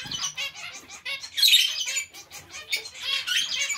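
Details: A mixed colony of zebra finches and Bengalese finches, filled with nasal, trumpet-like short calls repeated several times a second, swelling into a louder harsh burst midway.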